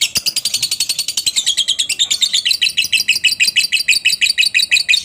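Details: Lovebird delivering long ngekek song, played as a lure so other lovebirds join in: an unbroken, fast rattling chatter of shrill, squeaky notes, about six per second, sustained for five seconds with steady loudness and no other sounds.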